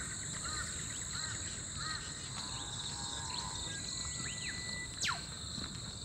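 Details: An Eastern Whipbird, easy to hear but hard to see, gives a held whistle, then a sharp whipcrack sweeping steeply down, during a morning bird walk at Oxley Creek Common, Brisbane, Australia. Other birds chirp softly under a steady, high insect drone.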